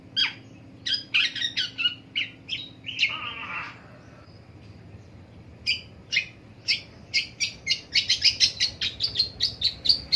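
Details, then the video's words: Long-tailed shrike in the morning giving a busy run of clipped, chattering notes, broken by a harsh rasping burst near three seconds, a brief pause, then quickening rapid chirps toward the end. "INDAHNYA DI PAGI HARI MENDENGAR SUARA PENTET"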